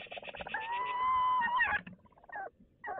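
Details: Tawny owl pair exchanging calls at a nest box in Toledo, Castilla-La Mancha, during daytime courtship. A long, wavering, tonal wail holds steady for over a second over rapid pulsed chatter, then short falling notes follow.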